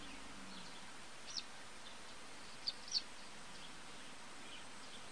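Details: Three brief, high, sharp call notes from a citrine wagtail on 13 November 2015, one alone and then a quick pair, over a steady hiss of background noise.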